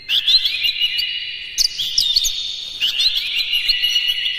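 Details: Oriental magpie-robin in energetic full song, played to raise the excitement of other magpie-robins; continuous high warbling with rapid chirps and slurred whistles over a steady ringing tone, nearly unbroken throughout.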